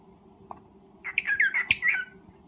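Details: Cockatiel during breeding, uttering a brief tumbling chatter of squeaky, warbled notes lasting about a second, with one sharp click in the middle.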